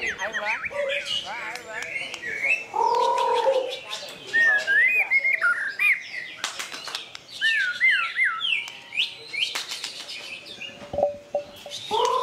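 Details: White-rumped shama (murai batu) singing vigorously at the Plaza Cup 2015 songbird contest in Semarang, Indonesia: loud, varied whistled phrases, rapid rising and falling slurs, and sharp trills tumbling quickly together, with crowd noise and clicks behind.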